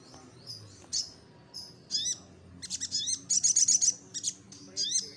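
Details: High-pitched little spiderhunter chatter used as a lure to provoke replies: single squeaky chirps building into a quick string of sharp notes, over a low steady hum.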